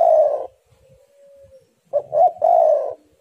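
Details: Spotted dove song, heated exchange between birds: a rolled low coo ends, a faint steady tone lingers, then a new phrase of two quick hoots and a long burry coo follows.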